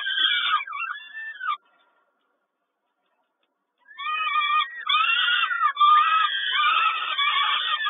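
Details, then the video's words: Peregrine falcon begging during feeding at Kawęczyn, 10.05.22: clear stacked wailing notes, then over two seconds of silence, then louder rhythmic whining cries returning and thickening into an overlapping chorus. "Sokół Kawęczyn Karmienie 10 05 22"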